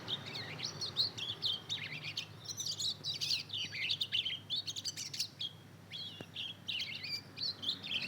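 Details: Two-month-old mozken hybrid of Mozambique canary and canary, twittering as it learns to sing: repeated bursts of high, rambling chirps and short trills throughout, broken by one short lull.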